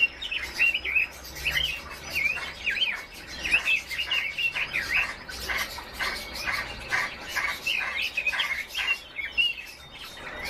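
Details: Red-billed leiothrix, or Chinese nightingale, delivering a lively continuous warble of fast, looping whistled notes, phrases tumbling up and down with brief gaps, a faint low hum beneath.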